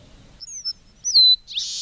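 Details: Red-breasted meadowlark giving high, thin whistled notes, then a clear downslurred whistle that leads into a rasping, buzzy trill.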